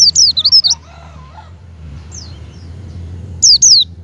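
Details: Javan white-eye call used as a lure to stimulate a pet white-eye to open its beak and sing: sharp, high, zigzagging chirps in a quick burst, then a long pause and one more short burst, over a low hum.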